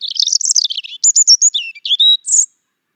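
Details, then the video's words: A European robin gives a short song phrase: a quick jumble of high trilled notes, then clear descending whistles and a final very high thin flourish before silence. "European Robin - Songs"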